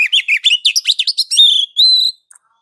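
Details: Oriental magpie-robin, ngeplong master song for stimulating other magpie-robins: a lively string of quick slurred whistles, each note distinct, ending with two long steady high whistles.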